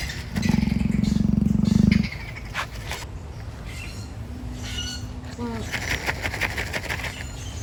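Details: Snorting noise from emus in an animal park: a strong, low, buzzy pulsed rumble of nearly two seconds at the start, followed by a faint thin tone and light rustling against a constant low hum.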